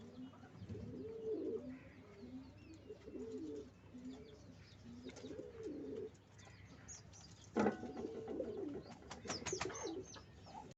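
Pigeons coo in low, soft, rolling phrases, roughly one every two seconds, with a brief clatter of movement partway through.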